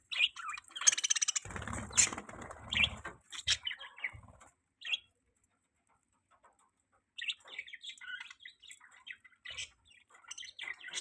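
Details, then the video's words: Budgerigars calling in a mating display, bursts of sharp chirps and squeaky chatter, then a few seconds of near silence before softer twittering resumes. "Budgies Mating Call"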